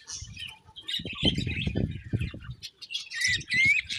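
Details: Budgerigar chirps: twittering and warbled notes with a clear rising whistle near the end, over prominent low rumbling and knocking noises.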